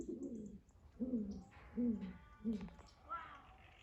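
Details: Barred owl calling in a backyard: four low, mellow hoots spaced roughly 0.7 seconds apart, followed by a fainter, higher note near the end.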